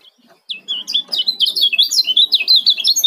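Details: Male yellow-vented bulbul from Lombok, a fast, tightly packed 'ciak' chatter used as a lure to get other bulbuls calling: rapid run of sharp, bouncing notes at high pitch, about three per second and close together, with faint background noise.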